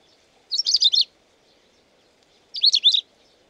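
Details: Song of the long-tailed rosefinch, Carpodacus sibiricus: two short, loud phrases two seconds apart, each a fast run of four or five sweet, zigzagging whistled notes, against a quiet background.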